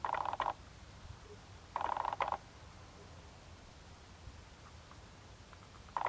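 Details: Rare Ferruginous ducks, several individuals, in the wetlands of Capitanata, Italy, give short, harsh, rattling churrs of about half a second each, spaced a second or more apart, over a quiet, faintly hissing background.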